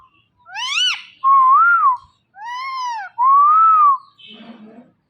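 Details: Talking rose-ringed parakeet alternates nasal, arched, speech-like syllables with loud, pure, wavering whistles, two of each in about four seconds, then a soft rustle.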